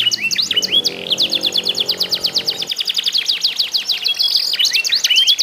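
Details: Contest singing by canaries, meant to get other canaries singing. Rapid runs of sharp chirps alternate with looping whistled phrases, and a low droning hum sounds in the first half.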